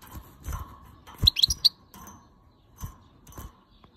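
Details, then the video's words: Female European goldfinch, angry at the camera, gives a quick cluster of short, bright, high chirps about a second in, set against soft low thumps and faint background hum. "Goldfinch Call Female and Angry with Camera!"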